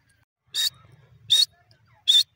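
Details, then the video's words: Grey francolin, known as teetar, giving three loud, shrill, harsh notes spaced about seven tenths of a second apart, with a faint low rumble between them. "grey francolin teetar sound"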